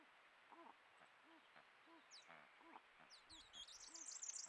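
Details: Pair of Malleefowl vocalising at their first egg of the 2024-25 season, laid 7 September: soft, low arched hoots repeated every half second, joined toward the end by lively high-pitched chattering from other birds.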